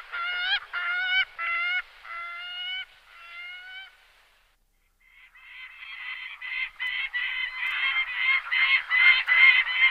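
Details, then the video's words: Gyrfalcon calling in a run of harsh, nasal harmonic notes, first spaced and drawn out, fading, then after a brief silence a faster, rougher series of clipped calls building in loudness. "Кречет Falco rusticolus ГОЛОС"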